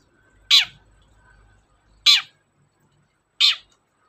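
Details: Long-tailed shrike, lure recording to stir reluctant shrikes into song: three rough, raspy squawks at uneven intervals of about one and a half seconds, with a faint low hum behind.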